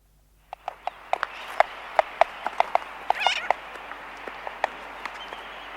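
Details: Laysan albatross in a colony making sharp, dry clicks in an uneven series, one or two a second, over steady colony hiss with a brief wavering call mid-way; sooty terns in the distance, aircraft sounds present.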